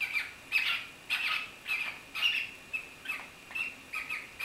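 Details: Two pet cockatiels attempting to mate, giving harsh, scratchy squawks in quick bursts, roughly two every second.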